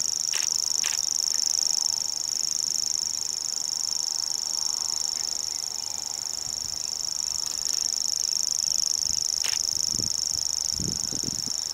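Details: Common grasshopper warbler singing at Belvide Reservoir in April 2016: a continuous, very high, insect-like reeling trill held steadily for the whole stretch, with a few faint low thumps and rustles near the end.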